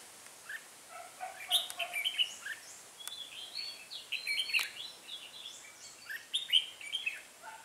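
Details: Red-whiskered bulbul used as a decoy to lure wild birds into a trap, 8 October 2017; short, lively whistled and chirped phrases come in bursts separated by pauses, and a few sharp clicks are audible.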